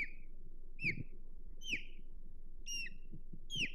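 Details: Osprey at its Hog Island nest, 22 May 2023, calling in nest defense: a rapid run of about five piercing whistled chirps, each sliding downward, with low rumbling noise underneath.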